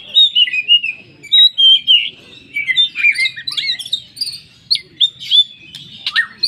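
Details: Magpie-robin lure recording, 'poci' full song aimed at prompting other oriental magpie-robins to sing: clear drawn whistles early, shifting to scratchy, buzzy notes and sharp chips later.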